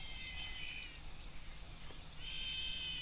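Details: Trumpeter hornbill, apparently a reference recording played after one was heard calling at Tembe Elephant Park, South Africa, gives two nasal, wailing cries, each about a second long, like a baby screaming, over a steady low rumble.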